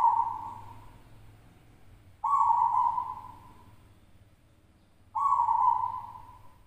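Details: Winning local zebra dove from West Java at a singing competition. Steady, prolonged coos, each bright at onset then tapering away, arrive about every three seconds against a low background hum.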